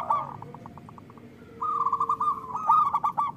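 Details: Zebra dove song played to prompt captive doves to sing: a short series of separate pulsed notes, then after a pause a louder, longer rolling coo with other doves joining.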